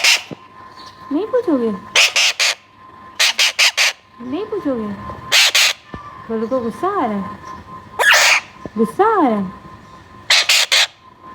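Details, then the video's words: Young Alexandrine parakeet in talking training gives harsh squawks in short bursts, mixed with a person's voice and speech-like tonal sounds over a steady hum. "Alexander Parrot Baby Sound"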